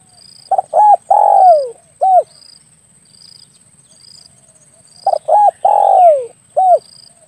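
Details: Spotted dove phrase used to lure birds for hunting with an air rifle, repeated twice: clipped double notes, a long coo dropping in pitch, a brief ending coo, while a thin high whine pulses in the background.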